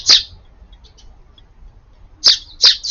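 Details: A sparrow at a garden feeder on 4/18 where one domineering bird drives the others away from the food: a loud high chirp, a pause, then three quick chirps in succession.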